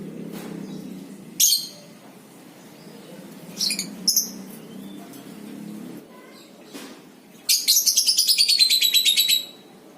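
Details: Lovebird ngekek, a long chattering song used to prompt other lovebirds to sing: scattered sharp high chirps, then a fast rattling trill of about twenty pulses that slides gently downward over two seconds, with a low hum behind.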